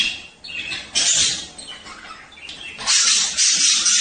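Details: Dense, loud chattering warble of male budgerigars at mating time, sung to stimulate breeding: harsh, scratchy high notes and squeaks running almost without pause.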